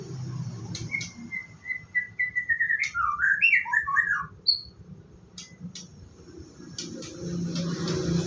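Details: Morning routine of a white-rumped shama getting ready to bathe: a long string of clear whistled notes gliding downward, then a tumbling jumble of varied twisting whistles, with low background rumble.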